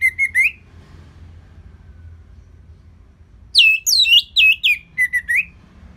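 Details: Orange-headed thrush singing, used as a lure so other birds answer: one burst of three sharp notes, a long pause, then a quick string of downslurred whistles with short bright twirls.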